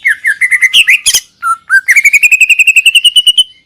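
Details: Wild greater green leafbird, known locally as cucak ijo, giving a fast string of warbled chirps, a brief pause, then a long evenly spaced trill of bright whistled notes that rises slightly in pitch. The background is quiet.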